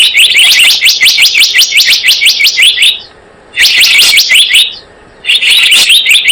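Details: Blue-eared kingfisher lure call made of long, fast strings of sharp high chirps, broken twice by short quiet gaps.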